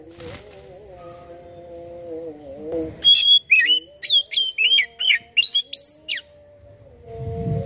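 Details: Oriental magpie-robin (kacer) song played as a lure to prompt other birds to sing: a rapid burst of about eight sharp, high whistled notes, some slurring up and others down, over a steady low droning hum.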